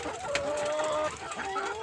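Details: Domestic layer or Fayoumi hen raised at home, giving one long level whine lasting nearly a second, followed by a shorter rising note, with faint other hens in the background.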